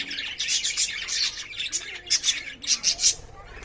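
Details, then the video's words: Caged lovebirds courting and playing, giving bursts of harsh, high chirps and squawks in quick clusters, with brief pauses between groups. "love birds 🐦 making sound 🔊 and playing"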